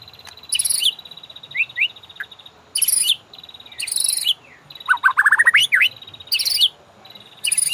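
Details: White-rumped shama master song for training caged birds to ngorak: a steady high, fine buzzing trill broken by loud rasping bursts and one quick descending run of chipped notes.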